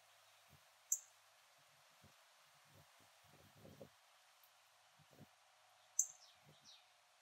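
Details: Rare yellow Northern Cardinal in a backyard in Port Saint Lucie, Florida, gives two sharp, very high metallic chips about five seconds apart, the second followed by faint down-slurred notes, over a quiet hiss and soft low thumps.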